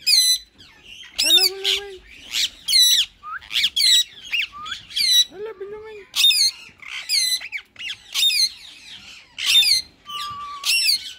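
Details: A white male rose-ringed parakeet and a green one in talking mode: loud, harsh, high squawks with stacked harmonics, about one a second, mixed with lower gliding, voice-like notes and short warbles.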